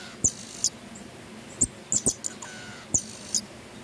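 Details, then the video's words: Pin-tailed parrotfinch, known locally as emprit pelangi or bondol ijo binglis, singing: very high, thin, sharp ticking notes given in short bursts with irregular gaps, mixed with dull knocking or tapping sounds. "Pin-tailed parrotfinch singing Emprit pelangi gacor"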